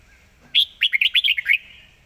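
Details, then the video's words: A Red-whiskered bulbul sings one fast zone-style phrase: a loud sharp whistle followed by a tight string of about seven bouncing notes, crisp and clear over a quiet background. "สายเพลงโซนห้ามพลาด"ทีเด็ดเพลงโซนปากไว เพลงรัวๆ"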